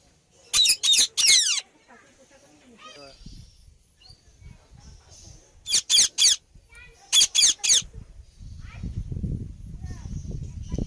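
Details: Indian ringneck parakeet giving harsh, raspy screeching bursts in three quick clusters of two to three notes each, separated by quieter stretches with faint murmuring and a low rumbling background toward the end.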